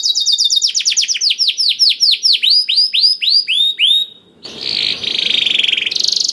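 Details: A vigorous canary, used to prompt other canaries to sing, delivers a dense fast trill that slows into spaced, swooping whistled notes, then breaks into a harsh buzzing rattle after a short pause.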